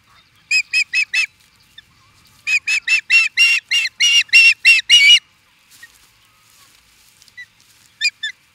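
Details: Osprey near Charlo, Montana, USA, reacting to an intruder: a burst of four rapid piercing yelps, a pause, then a longer string of about ten loud ringing cries, and a couple of faint late chirps.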